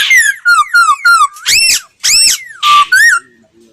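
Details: Caged laughingthrush in voice training, singing clear whistled notes that slide downward in a quick series, then harsher rich chattering phrases and rising whistles, indoors.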